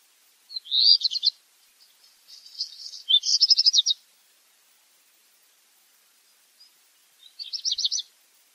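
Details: Repeated song phrases of a black redstart: rapid high rattles separated by a soft crackling section, then a pause of several seconds before another short rattled burst.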